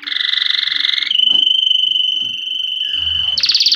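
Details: Canary song played to train chicks: a fast buzzy trill, then a long pure whistled note held steady, ending in another rapid rattling trill, loud and continuous.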